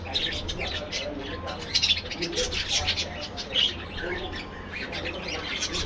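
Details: A colony of aviary budgerigars producing busy, overlapping high chirps, squeaks and brief whistled trills, with a steady low hum in the background.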